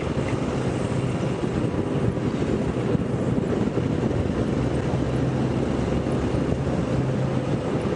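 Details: Steady low engine rumble from a vehicle, with no animal calls heard.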